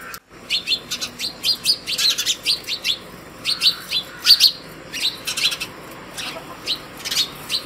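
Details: In the morning at a hanging feeder made from a plastic bottle, house sparrows call others to food. Loud, repeated high chirps come in a fast, uneven series of more than a dozen notes over a faint background hum.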